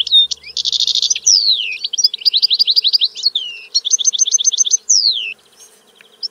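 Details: Song of a European goldfinch, a rich continuous twittering of rapid high chirps, buzzy trilled rattles and sweeping down-slurred whistles strung together without pause before ending abruptly.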